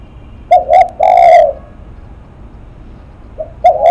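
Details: Spotted dove, called 'lắc mặt', cooing up close: two short coos and a long rich note, a pause, then a soft coo and the phrase beginning again.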